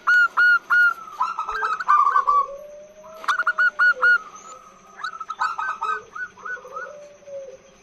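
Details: Female zebra dove calling at length to draw in males. Loud clipped cooing notes in quick runs alternate with softer rolling trills and a low sustained tone, in several bursts across the recording.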